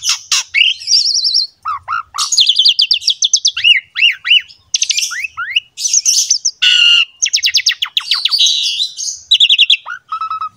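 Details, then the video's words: Energetic gacor song of an Asian pied starling, a masteran used to lure other starlings into singing: a long, varied stream of whistles, swooping slurs, buzzy rattles and rapid chattering series. "MASTERAN BURUNG JALAK SUREN GACOR ISTIMEWA"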